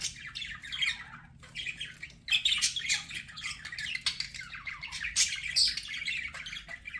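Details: Budgerigar chirping from pet birds: a brief lull, then lively scratchy warbling with squeaky upslurred notes and harsh chatter that keeps building toward the end.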